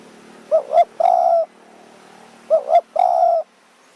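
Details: Spotted dove cooing during decoy luring in high mountain forest, Kanchanaburi, Thailand, at evening. Two phrases two seconds apart, each a quick two-note stutter leading into a drawn, even coo.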